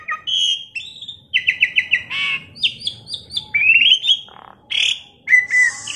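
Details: Captive Asian pied starling, tame and noisy, kept to lure other birds into song, gives a varied medley of clipped whistles, a quick series of five even notes, rising slurs and harsh squawky bursts.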